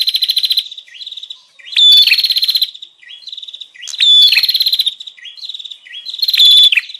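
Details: Noisy 'ribut' lure call of the bar-winged prinia, meant to draw in wild birds: bursts of high rattling trills and whistled notes repeating about every two seconds, separated by softer twittering.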